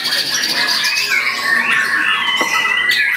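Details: A white-rumped shama (murai batu) pours out varied material: a long clear whistle gliding slowly downward and flattening out, over a busy background of softer chatters and brief sharp notes.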